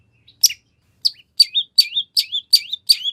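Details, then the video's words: Long-tailed shrike singing mimicry-rich phrases intended to lure a rival into answering: sharp notes each followed by a dipping, then rising whistle, repeated roughly three times a second after a slow start. "Kicau Cendet Gacor Full Isian Nagen! Ampuh Dijadikan Pancingan Agar Cendet Langsung Nyaut"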